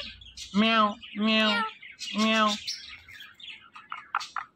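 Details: Talking Indian ringneck parrot repeats a nasal, meow-like word three times about once a second, followed by faint squeaky chatter.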